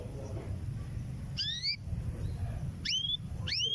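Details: Female canary ready to mate, calling for a male; three bright upslurred whistles, the last two close together, above a steady low hum.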